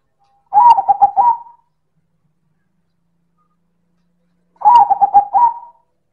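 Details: Silver perkutut, a zebra dove, in loud manggung cooing: two identical phrases about four seconds apart, each a burst of rapid pulsed coos ending in a slightly higher sustained note.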